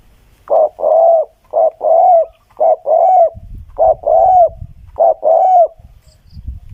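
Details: Spotted dove singing repeatedly, clear and close: five paired phrases, each a short clipped coo followed by a longer arched coo, roughly one pair per second, with low rumbling noise in the second half.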